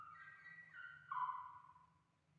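A turkey gives a brief, warbling call that steps down in pitch and ends in a louder, falling gurgle, over a faint low hum.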